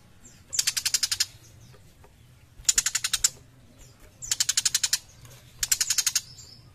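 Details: Four bursts of scratchy, machine-like chattering from a young tiger shrike in active song, each around eight to ten fast pulses, repeated roughly every one and a half seconds, with soft high slurred notes between.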